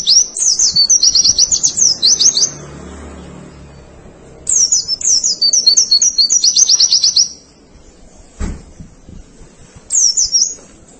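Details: White-eye masteran song used to train birds: two long bouts of rapid high trills and chattering notes, separated by quiet gaps, and then a short closing phrase.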